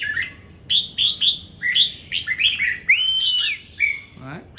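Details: Competition red-whiskered bulbul from Đồng Nai: a rapid run of bright chirping notes building into a long smooth level whistle, ending with a short low human sound.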